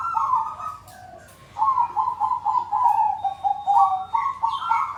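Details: Several zebra doves in a cooing chorus meant to prompt doves that are not yet singing; a short coo, a pause, then a long unbroken run of vibrating, bubbling coos stepping slightly up and down, with a few high chirps above.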